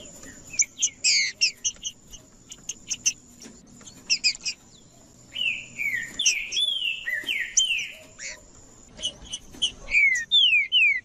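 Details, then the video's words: Green-winged saltator singing, played to warm up birds that will not sing: loud, clear whistled phrases sliding up and down, mixed with sharp high chirps and short pauses, over a faint steady high hiss. "TRINCA FERRO CANTANDO PARA ESQUENTAR TRINCA FERRO FRIO"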